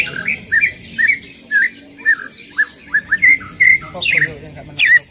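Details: Greater green leafbird song meant to prompt another leafbird to sing: repeated rich slurred whistled phrases, each rising then falling, roughly two per second, ending in a harsh burst.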